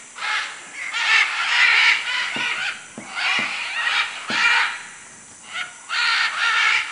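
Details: Rasping, hoarse screeches from macaws in Manu, Peru, coming in uneven clusters with a few sharp knocks or clicks between them and a brief lull near the end.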